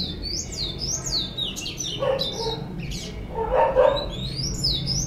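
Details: Well-cared-for caged white-collared seedeater, locally bico laranja or argolinha branca, delivering continuous bright whistled phrases of rising and falling slurs, with brief lower noises in the middle.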